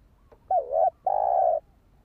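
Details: A spotted dove call used to stir a decoy bird. A brief wavering coo is followed after a short pause by a long, steady, even coo, with low background hum.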